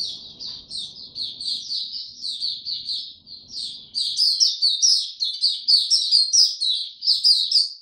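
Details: A white-eye in warm, very humid weather on 26 March 2022 sings a steady chain of high, sweet chirps, then breaks into a louder, faster twittering outburst halfway through; faint low background murmur at first.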